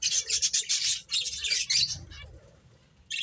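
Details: Playing finches make fast, harsh, high chirps in a thick burst for two seconds, then fall quiet apart from faint notes and a final short chirp.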